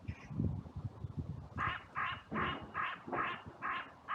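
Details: Crows in a cemetery on a sunny day, raising a massive outcry after two birds fought and others flew in from every direction; a run of seven harsh, even caws, roughly three per second, after low rustling.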